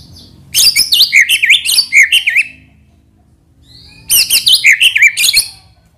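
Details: White-rumped shama, murai batu, used as a pancingan lure song to make other birds sing, firing off isian fill-in phrases: two dense bursts of rapid zigzagging, chattering high notes, each about two seconds, separated by a quiet pause.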